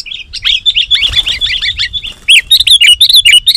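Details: Sooty-headed bulbul in excited song, used to make wild bulbuls respond: a continuous flowing chatter of quick slurred whistled notes, growing louder and faster in the second half.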